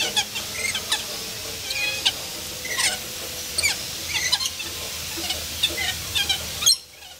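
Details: Several lorikeets fooling around in an enclosure at the zoo in Columbus, Ohio, on 16 October 2014: a busy stream of harsh, shrill screeches and squeaks, overlapping irregularly, over a steady low hum.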